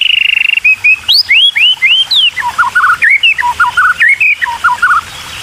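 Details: Hungry white-rumped shama chicks begging as the parent brings food, loud close whistled notes in a quick run, arched upward-then-down slurs that drop lower midway and continue in fast repeated pairs.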